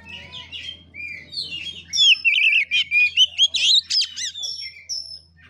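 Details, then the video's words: Oriental magpie-robin (kacer) in 'ngeplay tarung', turtle-style 'gaya kura kura' song: soft scattered notes build into a loud, rapid series of warbled whistles and steep sweeps, over a steady low hum. "KACER NGEPLAY TARUNG|GAYA KURA KURA"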